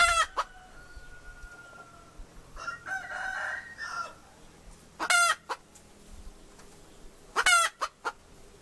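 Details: Hen giving loud, harsh, harmonic squawks: one burst at the start, then paired squawks about halfway through and near the end, with a long faint steady tone and quieter murmuring in the gaps.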